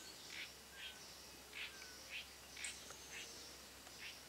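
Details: Faint spot-backed puffbird call from Boa Nova in Bahia, Brazil: brief sharp notes repeated roughly twice a second amid constant high background hiss and a low hum.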